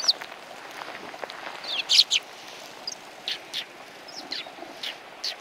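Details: Sparrows on a shrine bench at a Tenmangu in Japan, January 21, 2020, give clipped chirps in small groups with pauses between, over quiet ambient noise.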